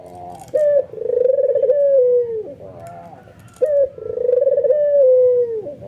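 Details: White albino ringneck dove, excited and nodding, cooing to make other doves join in: a sharp opening note, then a long rolling coo that slides down at the end, given twice, indoors.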